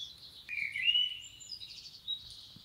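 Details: Common blackbird recorded in nature, Romania; bright whistled notes that rise and fall, then break into rapid buzzy twittering, with quiet ambient rumble underneath.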